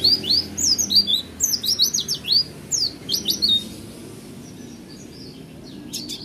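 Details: Oriental white-eye kept by an owner, singing roll tembak: three and a half seconds of fast, high, thin chirps and slurs in tight clusters, then near quiet with a few faint high notes near the end.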